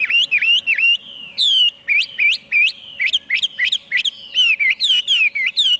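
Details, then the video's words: Chinese hwamei singing a loud, varied run of whistled notes, many sliding up then down, delivered in quick repeated phrases with brief pauses; a faint steady low hum sits underneath. "tiếng chim hoạ mi hót cực hay"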